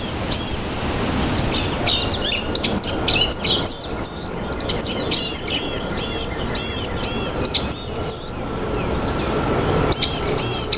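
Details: Blue-gray gnatcatcher singing in a forest: a rapid series of thin, high, buzzy upslurred notes in bursts, with a steady background hiss and low rumble.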